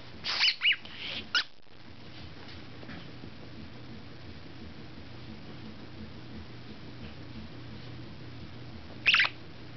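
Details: A male budgerigar showing affection to his female companion gives a quick cluster of bright, squeaky chirps, then one more after a long pause.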